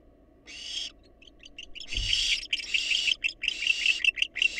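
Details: Wild barn owls at a research-monitored nest box give harsh, broadband hissing screeches. A lone burst comes first, then longer rasping hisses broken by quick chittering clicks in the second half.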